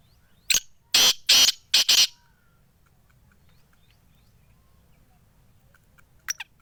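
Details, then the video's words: A Sindhi black francolin (kala tetar) gives a loud rasping phrase: one clipped note, two drawn-out grating notes and a rapid double note. Near silence follows, with a faint brief note near the end. "Sindhi Kala Tetar Awaz"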